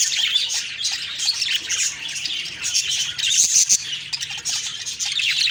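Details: Chattering budgerigar flock in the morning, October 2, 2023: layered high chirps and scratchy warbles, a brief lull near the middle, then louder twittering with a few clear whistled notes.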